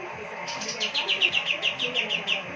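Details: Gacor kapas tembak singing for training other songbirds: a fast series of bright, downward-slurred chirps, each note quickly following the last, clear over a soft low background hum.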